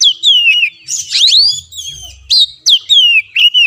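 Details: A kacer, or Oriental magpie-robin, singing as tutor song for caged birds that stay silent. Clear down-slurred whistles alternate with a busier tangle of twisting notes, then short emphatic whistled phrases.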